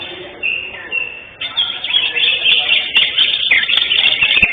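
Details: Contest-winning greater green leafbird, first place in session 5 of a singing competition on 11 October 2025, gives two short clear whistles, then bursts into a loud, continuous high warbling chatter with sharp clicks.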